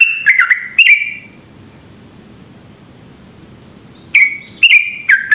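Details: Sooty-headed bulbul lure song for prompting other bulbuls to sing quickly: a few quick, bright, falling notes, then about three seconds of near silence, then another burst of clipped whistles, with a constant faint high-pitched hum throughout.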